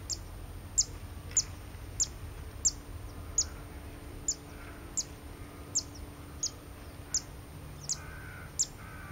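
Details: At Pian di Spagna-Lago di Mezzola nature reserve on 28 August 2016, a zitting cisticola utters a long, regular run of thirteen sharp high 'zit' notes, roughly every two-thirds of a second, with a fainter lower bird call near the end.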